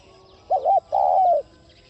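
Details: A spotted dove gives two soft, low hooting coos, a short broken one then a longer drawn-out note, over faint background hiss; a decoy-voice recording used to stimulate other doves to coo.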